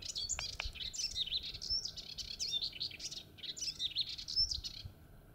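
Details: Melodious warbler singing in rural Mayenne, France, on 30 May 2022 at 11:28, recorded handheld at full zoom: a continuous, hurried babble of high, varied twittering and chirping phrases, mimic-like and scratchy, with little background noise.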